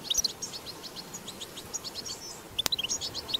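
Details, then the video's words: Wild-recorded European goldfinch 'batbata' song. Quick, thin, high chirps run steadily, a sharp click sounds near the end, and then a brighter burst of tinkling twitter follows. "أقوى بتبتة حسون"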